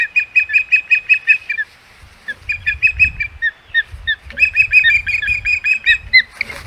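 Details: Osprey at its Hog Island nest on 21 May 2021 in loud, excited chirping: long rapid runs of piercing whistled yelps, with low rumbling thumps and rustling between bursts.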